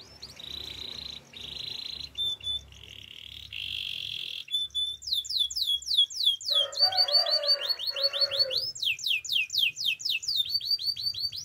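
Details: A male canary delivers steady rolled trills at several pitches, broken by short pauses, then a long run of quick sweeping chirps, with a lower warbling phrase underneath partway through.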